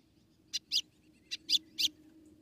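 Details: Female white-throated seedeater from Rio Grande do Norte, Brazil, calling to stimulate the male: five short, sharp high chips in two loose clusters over about two seconds, against a steady low hum.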